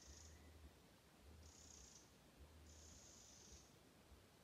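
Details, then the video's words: Agitated warning rattles from a Eurasian wren in an alder swamp at Stornäset, Alnö, 29 July 2022: three harsh, high churring bursts roughly a second apart, each lasting under a second, over a soft low background hum. "Gärdsmygens varnande läte"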